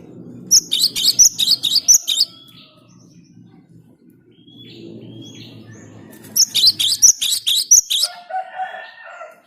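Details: Song of a cinereous tit used to attract birds: two bursts of rapid, piercing high notes separated by several seconds of near quiet, with faint lower tones at the end.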